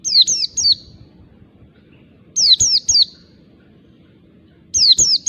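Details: Oriental white-eye from the wild, its calls meant to draw in others of its kind: clusters of three sharp descending whistles repeated about every two seconds, with faint low rumble beneath.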